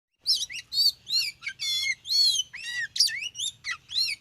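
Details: Oriental magpie-robin lured on a concrete road, singing a fast, varied string of high whistled and slurred notes, rising and falling sweeps with short buzzy trills, delivered without pause over a faint low rumble.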